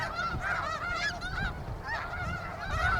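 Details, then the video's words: At Iona Beach in British Columbia, snow geese give wavering, nasal honks in quick runs, several birds overlapping close by. "Birds of bc Iona beach snow geese"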